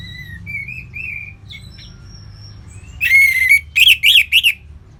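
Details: Orange-headed thrush singing in a relaxed ngeplong style. Faint high whistles lead into loud, buzzy, rising phrases with rich overtones, then three quick sharp slurred notes near the end. Low background hum.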